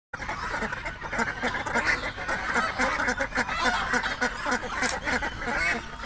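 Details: A flock of ducks at a pond in a duck-breeding setup quacking nonstop, nasal calls overlapping in a dense, uneven chatter of nearly two calls per second.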